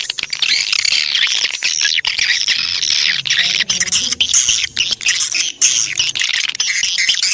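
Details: Swiftlet lure call used to attract swiftlets: dense, continuous chattering of high buzzy clicks and squeaky chirps, packed together with brief gaps, faint low hum underneath.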